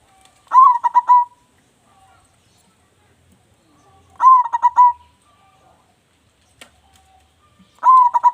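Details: Local zebra dove, described as a loud, lively singer kept as a lure bird, giving a rhythmic cooing phrase of a rising note then several quick stuttered coos, repeated about every three and a half seconds in quiet surroundings.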